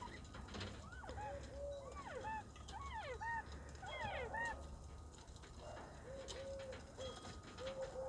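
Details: Several captive young northern bobwhites on 26 February 2024 trade short slurred whistles, rising then dipping, overlapping in quick bursts over a low steady rumble; happy sounds said to signal spring is coming.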